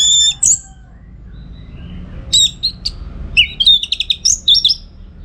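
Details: Orange-headed thrush in full song for training contest birds: a high whistled note opens, then after a pause a rapid, varied run of sharp twittering and chattering notes.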